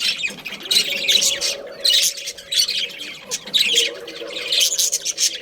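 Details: Budgerigar breeding pair calling: harsh, high squawks and warbled chirps come in clustered bursts about once a second, with softer chattering continuing underneath.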